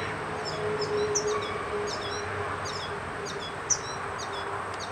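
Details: Feeding young, a yellow finch utters quick high chirps and tiny falling whistles in uneven runs, around three per second, over a steady hiss and faint hum.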